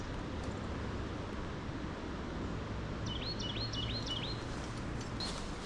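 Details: Carolina Wren, one of two in a bush at Mill Pond Park, central Michigan, calling loudly on a chilly fall morning; five quick slurred whistled notes in a row, under steady wind and traffic rumble.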